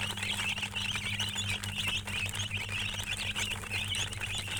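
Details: Chickens chirping steadily, a dense run of high, wavering peeps overlapping with almost no pause, over a constant low electrical hum.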